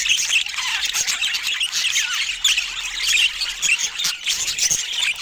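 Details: Budgerigars chattering continuously, a dense mix of warbled, squeaky and whistled notes with no pauses.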